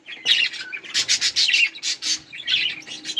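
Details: Several budgerigars eating and playing, a rapid run of harsh squawky chirps in short pulses about every quarter second, dense chattering with a faint low hum behind.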